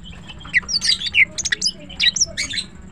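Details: Green cucak, a melodious morning singer, delivering dense scratchy chatter mixed with bright slurred whistles in rapid irregular bursts, some harsh squawk-like notes, over a low background hum.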